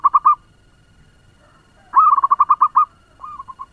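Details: Zebra dove of a local strain kept as a lure to rouse other doves; brief bursts of quick, rolling coos, three notes, then a pause, then a rapid run of eight or nine, and a softer trailing phrase.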